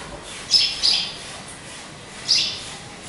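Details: Two quick, shrill chirps from a caged pet sparrow, then a pause and a single further chirp, against a quiet background.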